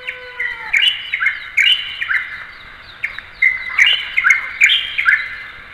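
Light-vented Bulbul giving bright, chirpy notes that bend up and down, repeated in quick bursts about twice a second. A brief falling tone opens the sequence.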